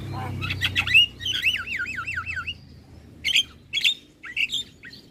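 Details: Javan myna singing as a lure for other starlings: a harsh squawk opens, then a long wavering whistle warbling up and down for over a second, followed by short scratchy chirps spaced apart.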